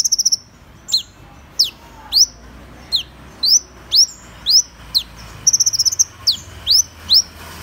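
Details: Van Hasselt's sunbird giving a long series of high, sharply downslurred notes about every half second, broken twice by quick trilled chip runs, against a quiet background.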